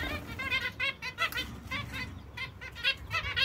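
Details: Zebra finch chicks with their mother in captivity: a steady stream of many thin, rapid, wavering calls repeating several times a second, somewhat muffled over low background hum.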